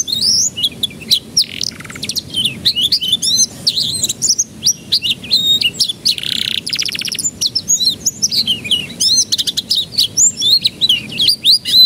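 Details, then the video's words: Canary song used as a lure to get young canaries to start singing quickly: a continuous, very high stream of rapid trills, sweeping whistled notes, buzzy rolls and sharp chirps, with short pauses between bursts and no other clear sounds. "Pancingan Kenari Paud Agar Cepat Pecah Suaranya"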